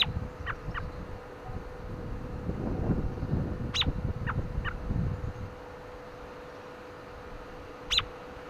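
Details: An American robin on a windy day gives sharp, high chirps that drop in pitch, in a pair, a quick trio, then a single note, over wind rumble and a steady hum.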